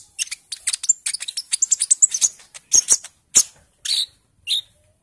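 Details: Young olive-backed sunbird in the early green-speckled stage after juvenile plumage, recorded to lure birds into song: a fast stuttering volley of high ticks and chips, followed by a few spaced sharp notes and short buzzy calls.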